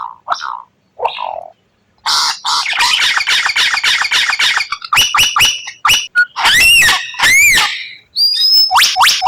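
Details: Murai batu (white-rumped shama) delivering rare 'tembakan' phrases: soft low notes, then a long harsh chattering rattle, sharp separate chips, and two loud arched whistles before rising flicked notes.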